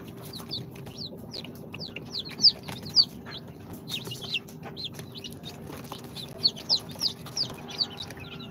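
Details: Newly hatched chicks of Sultan, Golden Sebright, Cochin and booted breeds, two days out of an incubator, peep constantly: a flock of short high chirps, many downward-slurred, overlapping at a quick uneven pace, with a steady low hum beneath.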